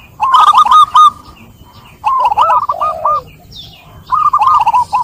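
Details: Local zebra dove singing clearly to get others singing too: three bursts of bubbly, warbling coos, the middle one trailing into a lower drawn-out note.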